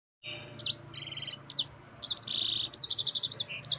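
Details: Yellow-fronted canary song: high, sweet trills and rapid repeated chirps, some notes sweeping down, with short buzzy rolled phrases in quick bursts and brief pauses between them.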